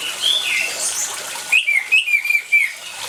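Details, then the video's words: A quick string of bright whistled notes from an orange-headed thrush, about five evenly repeated notes after a softer warble, with running water hissing behind. "ANIS MERAH GACOR DENGAN SUARA AIR, PANCINGAN ANIS MERAH MACET CEPAT BUNYI"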